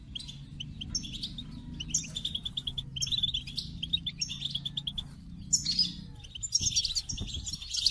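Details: A goldfinch delivers several short phrases of high, liquid twitters and buzzy trills separated by brief pauses, over a noticeable low droning hum.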